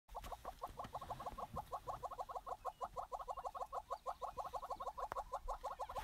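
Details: Southern yellow-billed hornbill, a wet courting pair on a bare branch after rain in southern African savanna, bowing and calling: rapid, evenly repeated low clucks, about two per second, running steadily throughout with faint background hiss.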